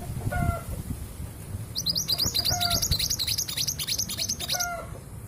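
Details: Female long-tailed sibia from East Java, kept as a lure to make males sing: brief clear whistled notes, then a long run of rapid, buzzy, high-pitched chattering pulses about three a second, with low rumbling background noise.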